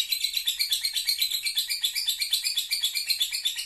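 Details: A lovebird chattering in ngekek style: a continuous stream of quick, high, grating pulses repeated at a steady rhythm without pause.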